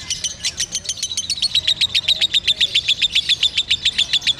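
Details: Loud, very regular konslet song by a lovebird: a fast machine-like series of high chirps, each sharply pitched, continuing unbroken for over four seconds.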